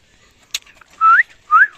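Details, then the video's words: Pet parrot being spoken to in Hindi by its owner: a click, then two clear rising whistles, each about a fifth of a second long. "Cute Parrot Talking Video | Funny parrot talking"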